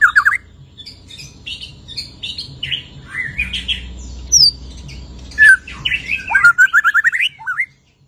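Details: White-rumped shama in full song after moulting. A varied string of chirps, slurred whistles, sharp high notes and a closing run of rapid rising trills, over a low hum.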